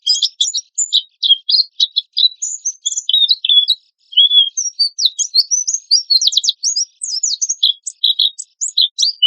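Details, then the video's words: High, busy Oriental white-eye tutoring song in 'tembakan kasar' style: stuttering chips, then looping whistled slurs, a short silence, and a dense run of rapid rising notes, with nothing else audible. "PANCINGAN PLECI GACOR TEMBAKAN KASAR"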